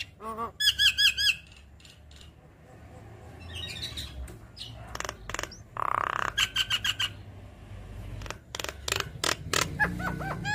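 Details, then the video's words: Javan myna chattering song meant to provoke other mynas to respond: bursts of quick whistled trills mixed with harsh squawks and scratchy notes, with faint background noise. "Pancingan Jalak Kebo Malas Bunyi Langsung Nyaut Saat Dengar Ocehan Suara Khas Jalak Kebo Manggut2"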